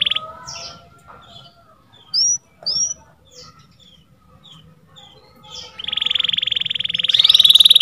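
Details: Canary, known locally as kenari, singing: scattered short whistled slurs and upward sweeps, then a loud, fast, buzzy trill rolling steadily to the end.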